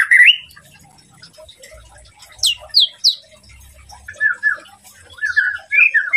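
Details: Song of a white-rumped shama, used to provoke a rival: a rising whistle, then sparse bursts of sharp descending notes and slurred warbled phrases separated by quiet gaps, with faint low thumping underneath.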